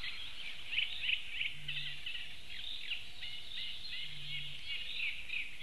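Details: Eurasian bittern in Latvia, 29 May 2015, recorded as it flew over and called: two deep, hollow hums about two and a half seconds apart beneath a dense chorus of high twittering songbirds.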